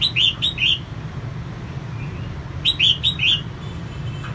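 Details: Female red-whiskered bulbul singing to stimulate males: two bursts of three or four quick, bright whistled notes, each falling slightly, separated by a two-second pause, over steady low background hum.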